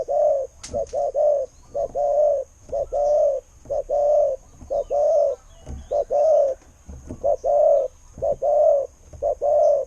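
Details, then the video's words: Decoy spotted dove with a fine voice, giving a rapid, steady run of low hollow coos, roughly one per second, some as short doubled notes, with a faint steady hiss behind. "เสียงนกเขาใหญ่ เจ้า 800 คูอ่าง เสียงดี ต่อเข้าหมาน"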